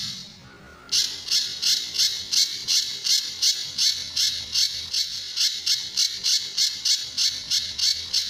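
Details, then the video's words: Sunda bush warbler, called pijantur, in a recording meant for training other birds, with the song styles called tembakan and besetan. After a quiet first second come harsh, buzzy, high bursts, about three a second, in an even series. "Burung Pijantur Gacor"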